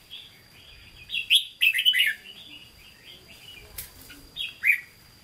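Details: Red-whiskered bulbul in a cage, Hue-style singing: soft twittering, then a loud jumble of quick whistled notes, a quieter trailing phrase and a final sharp chirp, with light fluttering and a faint high whine.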